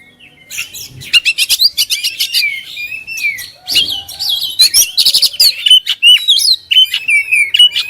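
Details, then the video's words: Singing oriental magpie-robin, kept as a songbird, in energetic gacor form: dense medley of bright whistles, downward slurs and rasping buzzy notes, building from a quiet start into loud rapid phrases. "#KACER LAGI BONGKAR ,#GACOR"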